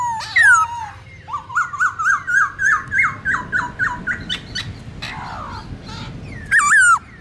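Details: Black-throated laughingthrush wild-type song, used to train young birds: a loud whistle, then a run of about a dozen evenly spaced rising-falling whistled notes, a faint warble and a closing loud whistled phrase.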